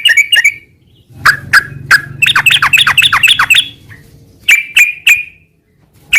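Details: Sooty-headed bulbul in gacor style: a few clear slurred notes, a fast harsh chattering run, then three evenly spaced bright notes and a final short call, with soft low hum underneath.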